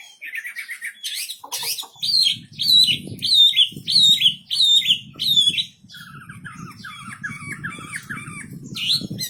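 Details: Wambi bird in full, persistent song: rapid high chirps, then a series of six or seven loud, arched squawky notes about every half second, followed by quicker looping twittered notes over a low background hum.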